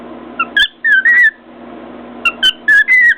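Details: Two bursts of bright whistling from a caged pet cockatiel perched on its cage: quick chirps leading into a longer wavering whistle each time, with sharp clicks from its beak striking a mirror.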